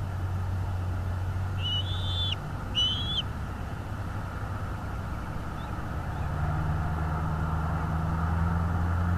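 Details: Bald eagle at its nest in northeast Florida, recorded by a nest camera on 22 February 2022 at 08:30: two thin, high whistled notes slurring downward, then steady low rumbling hum.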